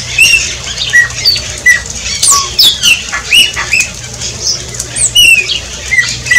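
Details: A shiny cowbird (chupim), recorded in front of a house in Brazil, sings a rapid jumble of high, thin whistles and liquid slurred notes, some sweeping sharply up or down, over a faint low hum.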